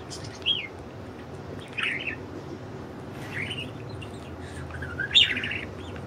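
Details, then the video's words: Budgies enjoying freedom outside their cage give a few sharp chirps that bend up and down, spaced over a second apart, over a low background hum. "Budgies Enjoying Freedom and Chirping"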